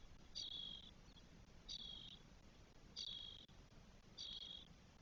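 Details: Spotless starling nestlings, four aged twelve days, nest in Spain on 1 June 2022: four rasping hiss calls, each opening with a brief higher note, repeated roughly every 1.3 seconds.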